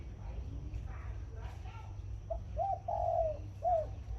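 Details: Decoy zebra dove singing in the morning in the khan yon style: a short rising note, then a looped trill and a long warbling coo, ending in a separate falling note. Steady low rumble underneath, faint voices early on.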